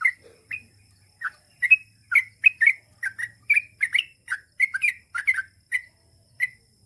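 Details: Gacor trucukan, the Yellow-vented bulbul, singing a long ropel: short bubbly chirps and rising whistled notes repeated in quick pairs and triplets, sparse at first, then packed closely together.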